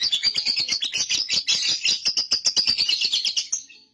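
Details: Young lovebird ngekek, a long chatter meant to prompt other lovebirds into chattering. Shrill, buzzy notes fire several times per second in an even, unbroken rattle for almost four seconds before fading.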